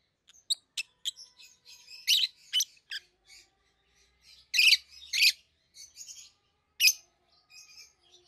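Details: Captive pair of young peach-faced lovebirds, seven to eight months old, red-headed green opaline and red-faced dark green: irregular high squeaks and harsh chirps, several loud shrieks mixed with quieter twittering.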